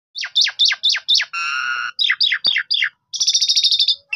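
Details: Captive Asian pied starling, filmed on a phone camera as a lure to get other silent starlings singing: a rapid run of sharp descending chirps, a buzzy harmonic note, then slurred downward whistles and a fast rattling trill.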